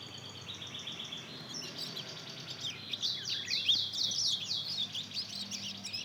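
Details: Young mozken, a Mozambique canary and canary cross aged two months, still learning its song. Quiet high twitters open the passage, then swell midway into a louder, rapid string of buzzy, down-slurred chirps that continue to the end.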